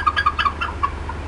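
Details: Upset bald eagle mother at the Decorah North nest in April 2016: a quick handful of bright, chirpy clucks fading out within a second, over a faint low hum.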